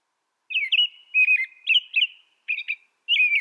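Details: Song of an American robin: warbled whistled phrases run together, then shorter clipped notes after a small pause, with a final looping whistle. The background is otherwise silent.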